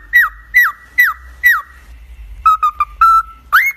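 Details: Pet cockatiel singing: four bright falling whistles in even succession, a pause, several choppy level notes and a held whistle, then a final upward-sweeping note. Faint low hum in the background.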